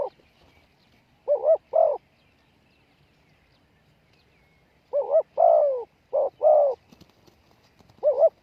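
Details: Spotted dove kept as a decoy, cooing to lure wild doves. Short paired low coos, a pause, then a longer run of several soft, rounded coos with a slight downward slur, ending with another pair. Background quiet and rural.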